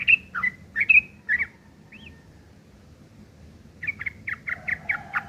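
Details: Ngeriwik kasar from a yellow-vented bulbul, rough chatter meant for tutoring long-tailed shrikes; a few short scratchy chirps, a pause with one small whistle, then a quicker run of similar harsh notes.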